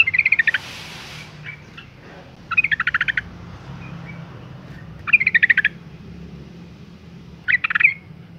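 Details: Four bursts of quick, bright chattering from a female yellow-vented bulbul, recurring about every two and a half seconds. The call is used to provoke males to sing, and a faint hiss is heard at the start.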